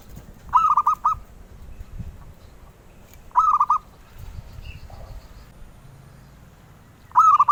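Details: Collector-prized zebra dove repeating its cooing phrase about every three seconds, each a quick rising lead note then three rounded coos; faint chirps of another bird in the quiet gaps.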